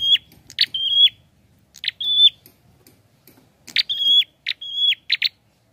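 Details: Clear, loud prinia song, known locally as prenjak kepala merah or prenjak klawu. Short rasping bursts lead into sustained steady whistles, in three groups with pauses between, mixed with quick clipped chirps.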